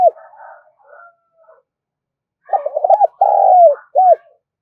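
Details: Call of a spotted dove, used as a lure. Faint higher chatter gives way to a loud, low phrase: broken bubbling coos, one sustained coo sliding down, and a brief closing coo.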